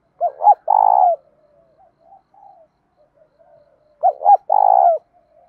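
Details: Spotted dove cooing in the mixed 'đồng' field style with a touch of 'thổ', used to train and provoke other doves: two phrases about four seconds apart, each two short hooting notes then a long rolling, vibrating coo that drops at the end.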